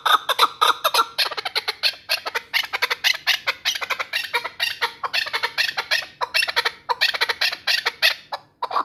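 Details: Hunting chukar partridges from the Pamirs produce harsh, overlapping clucks and squawky chatter in quick bursts, loud and crowded throughout with little pause between notes.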